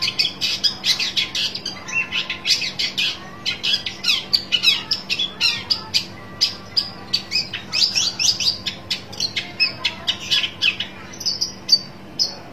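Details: A long-tailed shrike searching for a rival keeps up a long, energetic stream of grating squawks and quick chattering notes, some pauses between bursts, ending with a few thin high whistles; a low hum is present throughout.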